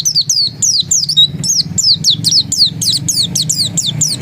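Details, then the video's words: Oriental white-eye (pleci dakun) pouring out a ngotot song of quick, high, looping whistles, several notes each second in an unbroken chatter. "Suara Ngotot Pleci dakun"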